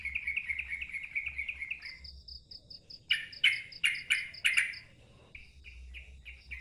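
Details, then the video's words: Sooty-headed bulbul delivering loud ngeropel song with a wild-sounding voice: a run of quick, even chirps, a brief pause, then five strong, sharp, ringing notes. Softer chirps trail off at the end. "KICAU TRUCUKAN NGEROPEL KERAS SUARA NGALAS"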